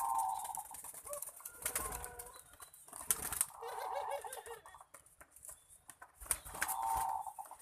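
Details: Cooing contest of Barbary doves: a sustained mid-pitched coo opens, a wavering series of low looping notes follows, and another long coo ends, over heavy clatter and background noise.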